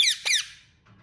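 An Indian ringneck parakeet gives two quick, harsh, high chirps in close succession, then falls silent apart from faint room noise.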